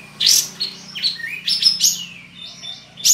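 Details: Contest Olive-winged Bulbul kept in Singkawang, West Kalimantan: a quick run of bright, slurred whistles and chirps, some sweeping upward, some dropping, with a steady low hum in the background.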